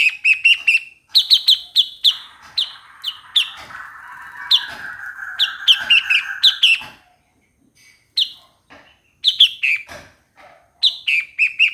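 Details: Streak-eared Bulbul singing: bursts of short, bright, slightly squawky chirps, several per second, in groups separated by brief pauses, over a faint steady hum midway and a silent stretch near the end.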